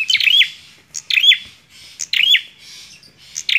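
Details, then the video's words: Energetic bar-winged prinia song: rapid bursts of sharp chirps ending in a looping upslurred whistle, about four phrases in under four seconds, separated by short gaps. "PRENJAK KLAWU GACORR"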